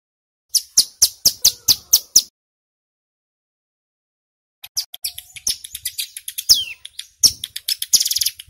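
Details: A lure recording for wild prinias features a male ciblek gunung (mountain prinia) giving eight evenly spaced, sharp, high chips, then a gap, then a dense, hurried chatter of thin, buzzy, high notes.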